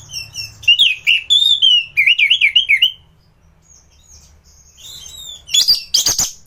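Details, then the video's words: Orange-headed thrush in gacoran song for training other thrushes: a rapid string of looping, whistled warbles and slurred notes, a pause, then harsh scratchy bursts at the end. "Burung anis gacoran || masteran untuk burung anis"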